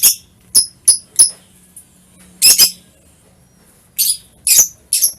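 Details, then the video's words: Lovebird chirping, recorded 21 March 2023: short sharp high chirps in scattered bursts, some single, some doubled, separated by brief silences, with a faint low hum underneath. "SUARA KICAUAN BURUNG LOVE BIRDS"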